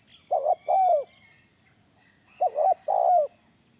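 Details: Spotted dove used as a lure, cooing twice: each phrase has two short coos then a longer, slightly falling coo, at a medium pitch over a steady high hiss.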